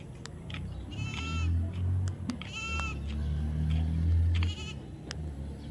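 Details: Baby parrot, kept as a pet and being tamed, uttering three short, raspy squawks spaced over about four seconds, set against a steady low hum and scattered clicks.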